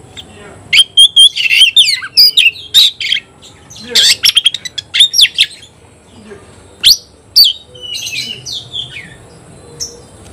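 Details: Oriental magpie-robin singing vigorously at a rival in a song contest, described as 'konslet': rapid strings of piercing whistles and harsh buzzy notes in bursts, with quieter gaps and softer background whistles.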